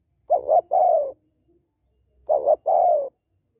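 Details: Female spotted dove calling to stimulate males: two mellow cooing phrases, each a quick double note followed by a longer, slightly falling coo, separated by a brief pause, with a quiet background.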